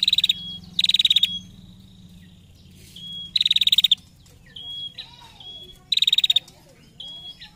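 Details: Female prinia giving its ngetir trill, used to lure other prinias into singing: three short bursts of rapid, dry, high ticking notes, each burst under half a second, separated by thin whistled notes and faint chirps over a low steady hum.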